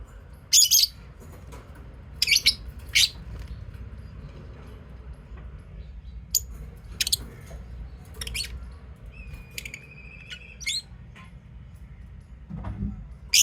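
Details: Lovebirds giving sharp, shrill, scratchy chirps in short separate bursts across several seconds, with a brief thin steady whistle near the middle and a low background hum throughout.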